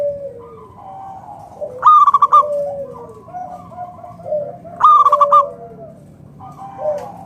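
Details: Local wild Zebra Dove, a strong singer, cooing to lure other doves into singing: loud bursts of rapid staccato cooing notes about every three seconds, with softer drawn-out coos from other doves between.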